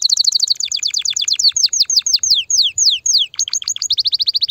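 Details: Canary song meant to stimulate mating, opening with a rapid trill that slows into loud, separate downslurred whistles, then speeds back into a quick high trill.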